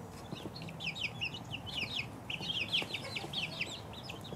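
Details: Two-week-old chicks chirp in a steady stream of sharp, high peeps, bunched into quick overlapping runs with brief gaps between clusters.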